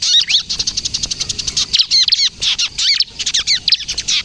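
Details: Bar-winged prinia, a ciblek kristal used as a luring and training bird, pouring out rapid trills of short high chirps broken by clusters of sharp, hooked whistled notes.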